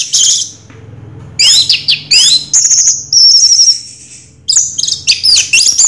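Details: Raja Teler style song from an orange-headed thrush: rapid, varied, high whistled phrases with sharp upward and downward sweeps, a sustained warbling trill in the middle, separated by short silences.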